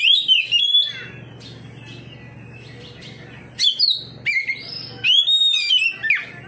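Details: Oriental magpie-robin singing back to another magpie-robin: an opening warbled burst, a long near-silent pause with steady low hum, then sharp upswept whistles and rapid slurred phrases.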